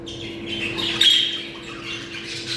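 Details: Budgerigar breeding call: a short burst of squawks and a bright whistled chirp from several birds over a low background hum.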